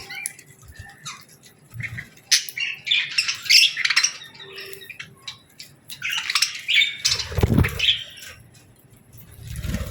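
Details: Evening flock of budgerigars at feeding time, dense buzzy chattering and chirps in two bursts, with flapping wings and a low rumble near the end.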